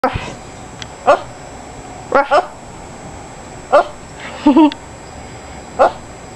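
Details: Pet Amazon parrot barking indoors: five or six short, sharp, dog-like barks, single or doubled, spaced about a second apart over a faint steady hum.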